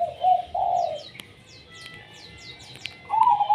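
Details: Zebra dove (perkutut) in an active song described as tumpang sari. It gives a bubbly, trilled coo phrase in two parts, pauses about two seconds, then coos again. Thin, high chirps from other small birds run above.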